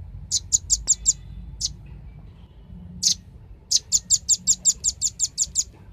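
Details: Velvet-fronted nuthatch lure song: a short run of five high sharp notes, a few lone chips, then a longer rapid even trill of about fourteen piercing notes near the end.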